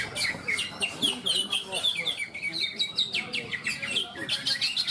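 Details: At a cucak ijo singing competition in Malinau, North Kalimantan, greater green leafbirds pour out fast, high, twittering phrases of rising and falling chirps, overlapping continuously, with faint voices in the background.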